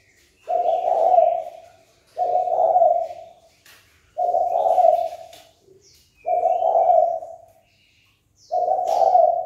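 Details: Spotted dove calling to stir a rival into a fight. Five low, hoarse coos follow one another at steady intervals of about two seconds, with faint high chirps and clicks behind them.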